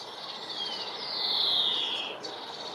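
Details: A female European greenfinch in a UK garden gives one long, drawn-out buzzy wheeze, high-pitched and nasal, swelling then fading over about a second, against a faint hiss.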